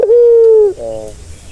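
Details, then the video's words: Turtle dove, sound offered to soothe a stressed bird: one long, steady, low hollow coo, slightly falling at the end, followed by a softer, shorter second note in a quiet room. "Suara santai yang bisa mengobati burung puter yang lagi stres"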